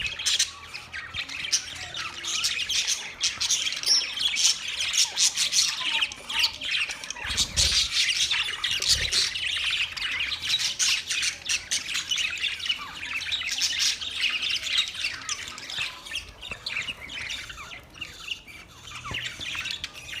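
Budgerigars keep up a busy stream of high chirps, squawks and warbling chatter.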